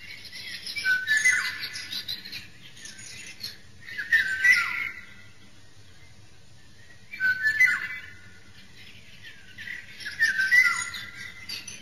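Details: A wild Eurasian golden oriole gives rich, fluting whistled phrases with some harsher notes, repeated every three seconds or so, over a soft hiss.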